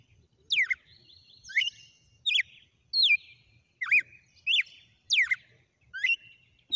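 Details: Wild red-cowled cardinal delivering its 'sequência de açoites' (whip sequence) song: nine crisp, whip-like whistles, each swooping down then flicking upward, spaced under a second apart, in quiet surroundings.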